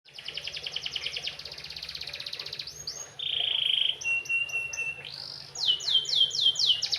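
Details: Canary singing in the Indonesian songbird-keeping tradition, a soulful varied style: fast buzzy trills, a long level whistle, then series of rapid upward-sweeping whistled notes, bright and high throughout, with faint low hum beneath.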